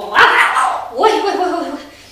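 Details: Pet grey parrot, playing a scaring game with its owner and barking as it often does at cats near its cage, gives two hoarse, dog-like barks, the second longer and sliding downward, with a person speaking nearby.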